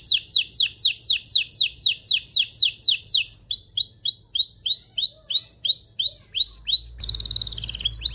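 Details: Domestic canary song intended to excite females and males for mating: repeated falling sweeps, a long series of rising arched whistles about four per second, then a brief buzzy trill over low rumble.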